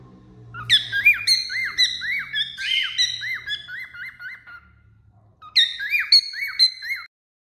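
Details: Cockatiel perched on a finger, singing: a run of repeated whistled notes that arch up and down, with brief squawky bursts, then a pause of about a second before a second short whistled phrase.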